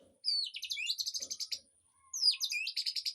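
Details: Aviary birdsong played to train a white-rumped shama: bright, fast whistled phrases sweeping down, followed by rapid buzzy trills in two bursts, a steady faint high tone throughout.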